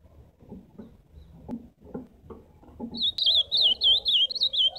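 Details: Ultramarine grosbeak (azulão) song entering after a few low knocks: a run of rapid, undulating whistled notes, sweet and warbling, lasting nearly two seconds.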